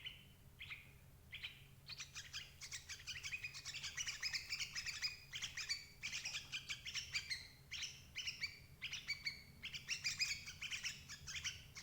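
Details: Sooty-headed bulbul calling as bait to catch parent birds: a few separate opening chirps, then almost continuous busy chattering of bright, bubbly notes in dense bursts for about ten seconds, over a low hum.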